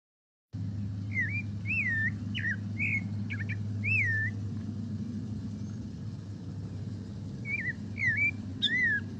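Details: Clay-colored thrush, abundant city bird in San Pedro Sula, Honduras, singing short, rich, slurred whistled phrases, about two per second, with pauses, over a steady low rumble of traffic.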